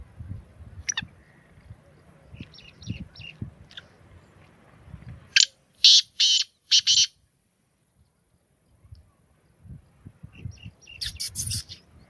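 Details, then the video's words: Black francolin, known locally as kala teetar or Sindhi teetar, gives a loud, harsh, rasping phrase of about five rhythmic notes, with a second burst near the end; faint chirps and low rumbling noise fill the quieter stretches. "Beautiful voice of black francolin Kalay Teetar Ki Awaz Kalay Teetar Ki Boli Sindhi teetar ki awaz"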